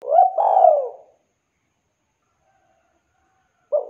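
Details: Spotted dove, calling to companions, gives a rising coo merging into a long, rich coo sliding downward, then silence before another short cooing note begins.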